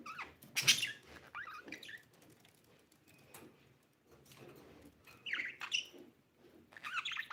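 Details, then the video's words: A budgerigar, kept in a breeding pair, gives scratchy, high chirps and short warbling bursts in uneven clusters, with brief quiet gaps between them. "budgie chirping sound"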